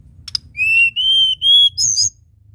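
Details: Nyuling (flute-like) song of a tledekan gunung: three long, pure whistles, the first rising slightly and the next two level and a little higher, followed by a brief high, buzzy trill. Faint low hum behind.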